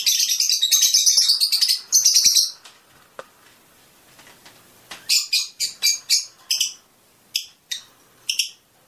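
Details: A Fischer's lovebird, singing to stimulate mating, opens with two seconds of dense shrill twittering, falls quiet, then gives a series of separate sharp chirps.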